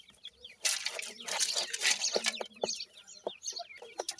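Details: Francolin chicks, called dakhni teetar, cheep throughout, their high falling peeps partly covered by a loud rustling, scuffling noise in the first half, with clearer single peeps toward the end.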